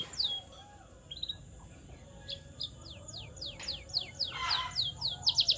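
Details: Canary song for training caged birds, heard faintly: scattered thin descending whistles that speed into a quicker series, with a brief rough burst near the end over a low background hum.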